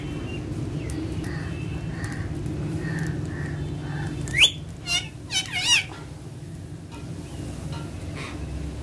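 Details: Green parrots give a run of loud whistled calls, swooping and wavering up and down in four quick bursts over about a second and a half, preceded by soft murmured notes, against a constant low background hum.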